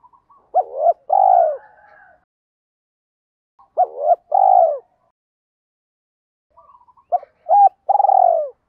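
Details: Spotted dove cooing to trigger wild birds to coo back: three phrases, each a looping double note then a long coo, the last preceded by clipped, stuttering notes, with quiet pauses between phrases.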